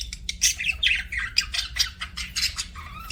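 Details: Budgie giving a dense, continuous run of harsh chirps and squeaky warbles, fast and bright, with a faint hum below.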